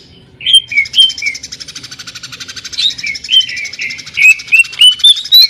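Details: Sewing-machine ('mesin jahit') style song of a cucak ijo, or greater green leafbird: a humming rapid pulse carries a series of short slurred whistles that climb in pitch toward the end.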